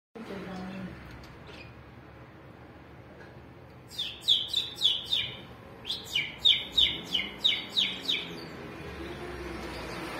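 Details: Canary giving bright, high chirps in two quick runs, about fourteen sharp notes spaced roughly a third of a second apart, over a soft background murmur.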